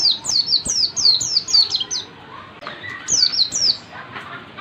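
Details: Pleci, the Oriental white-eye, giving tight ngalas-style song: fast runs of very high, sharply falling whistled notes, broken into two bursts by a short pause, with faint clicks and hiss behind.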